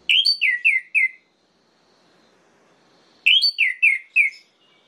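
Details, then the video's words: Orange-headed thrush, played to make rival males react: a phrase of four bright descending whistled notes, then a pause of two seconds and the same four-note phrase again, quiet background. "PUTARKAN INI 1 MENIT SAJA‼️ DIJAMIN ANIS MERAH LAIN LANGSUNG MENGAMUK"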